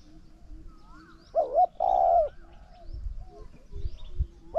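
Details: A single loud cooing phrase from a spotted dove in a decoy bout with a wild bird: a clipped double note then a sustained throaty coo, the next phrase starting at the end, with light chirping and low thumps.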